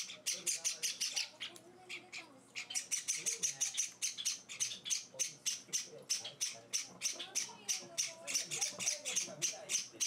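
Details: Hand-fed Java sparrow chicks beg continuously, a fast train of dry buzzy chirps repeated more than three times a second, briefly broken once. Soft human speech runs underneath.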